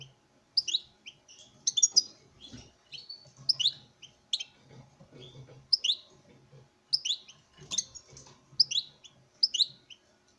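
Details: Breeding-room male goldfinch singing to a hen: a long run of crisp tinkling chirps and twittery flourishes in loose bursts, separated by brief pauses, with faint low murmuring underneath.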